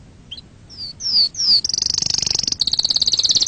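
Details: Canary song for training young canaries: a soft chip, three loud downslurred whistles, then a rapid high rolling trill that continues to the end.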